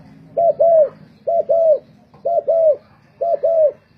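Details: Decoy spotted dove singing at a singing competition. Mellow paired coos, a brief note then a drawn-out falling one, come four times in steady rhythm against a soft low background hum.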